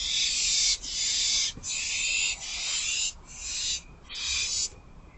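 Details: Owl in a nest box, wild, on the evening of 29 March 2024 while rodents are delivered. Long rasping hisses run almost continuously, broken by short dips about every second, over a steady background hiss.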